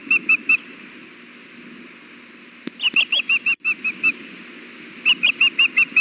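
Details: At the Hellgate nest in June heat, a female osprey fusses repeatedly for food while the male is present. Bright, piercing whistled chirps come in bursts of three, about nine, then six, roughly three per second, over low constant noise.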